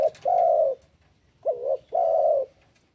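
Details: Spotted dove calling, used to make rival birds call back: low, mellow cooing notes, a short coo followed by a long drawn-out one, then a brief pause and a similar short-long pair, with faint room hum.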